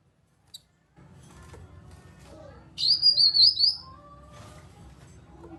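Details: A grey-cheeked bulbul gives a lure call that stirs quiet birds into song: a short, loud run of five choppy, high whistled notes, with a faint tick before it and a soft rising whistle from another bird after it.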